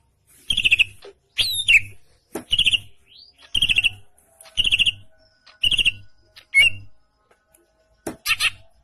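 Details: Greater green leafbird, a caged bird in gacor ngentrok style, giving short loud harsh bursts of high notes about once a second with brief gaps, one upward sweeping whistle among them.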